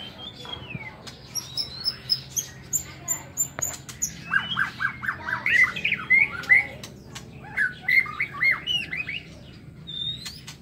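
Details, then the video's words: White-rumped shama singing in the morning in an aviary: high repeated whistled notes, then rhythmic bursts of loud descending chirps about twice a second, with clicks and scattered other chirps. "Tiếng Chích Chòe Lửa độc lạ hay"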